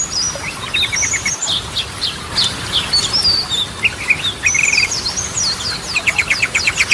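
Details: Lure song of a Yellow-vented bulbul for restarting stressed birds; mixed high whistled slurs, short buzzy trills and a closing fast rattle.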